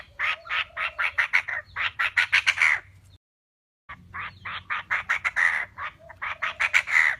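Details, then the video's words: Calls of a female Chinese francolin, meant for bird trappers as a lure: fast, scratchy note trains in two bursts split by a brief silence, over a steady low hum. "Tiếng chim đa đa mái 2023 |dành cho anh em đi bẫy|"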